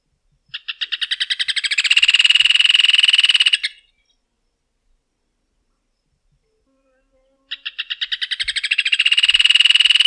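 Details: Rufous hornero song: two loud bursts of rapid repeated notes that begin spaced, quicken into a fast ringing trill and stop abruptly, separated by several seconds of silence.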